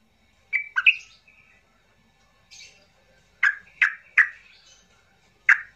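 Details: Agitated yellow-vented bulbul calls played to coax quiet bulbuls into singing: a few sharp, bright chirps, a pause, then several loud clipped notes spaced about half a second apart.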